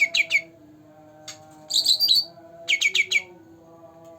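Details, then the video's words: Caged two-month-old green leafbird: sparse song of a few crisp high notes, a rich warbled phrase, then another short run of chirps, with pauses and a low background hum. "Cucak Ranting Gacor Dor Dor pancingan untuk burung yangg jarang bunyi"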